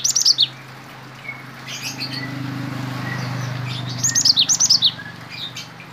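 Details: Cinereous tit, a spirited contest bird trained to include Bar-winged prinia song, gives two bursts of rapid, high, sharp chirping notes, each quickly repeated and slightly falling, separated by quieter pauses with faint low hum.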